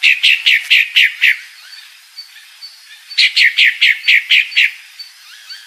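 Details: Female Pale-breasted thrush calling with two long runs of six to seven rapid, sharp, falling chip notes, separated by softer scattered notes.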